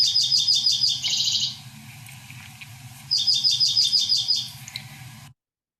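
Dark-eyed Junco giving two fast, even, high trills of rapid chips, each about one and a half seconds long, over a faint low hum.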